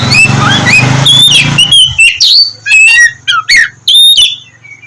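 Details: Oriental magpie-robin singing, meant to coax lazy birds into morning song: opens over a low rumbling background, then clear high whistled phrases alternate with buzzy chatter and short gaps.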